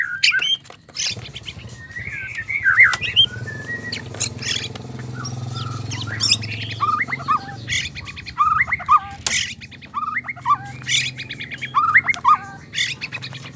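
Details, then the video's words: White-rumped shama mating sounds to set males singing: scattered short whistled and twangy notes with sharp clicks over a steady low background rumble. "MURAI BATU KAWIN BIKIN jantan ngamuk gacor seketika dgn suara murai batu kawin"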